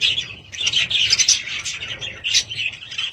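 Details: Budgerigars kept at home, a dense warbling chatter of overlapping chirps and scratchy notes, with brief louder squeaky bursts and near-continuous twittering.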